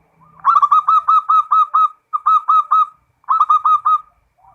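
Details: Zebra dove (perkutut), local bird, in 'ngerot' song: three loud phrases of quick, evenly spaced rolling coos, about four per second, each phrase lasting around one to one and a half seconds with short gaps.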